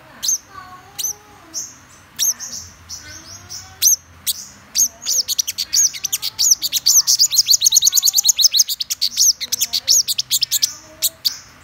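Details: Scattered high single notes from a black-throated sunbird build into a long, rapid rattle of sharp chirps, then thin out again into spaced piercing notes.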